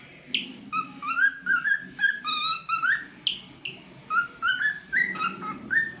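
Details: Talkative pet cockatiel sings a lively run of bright, harmonic whistles, mostly rising slides and short repeated notes grouped into quick phrases, with a sharp high note near the start. A low background murmur continues underneath.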